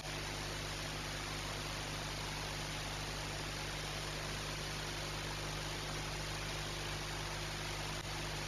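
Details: Steady broadband static hiss with a low, constant electrical hum throughout and no animal calls.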